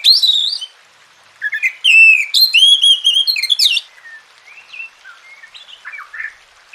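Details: Oriental magpie-robin singing to stir quiet birds into song: loud rich whistled phrases with sliding, warbling notes from 0 to 4 seconds, then softer scattered whistles and short calls.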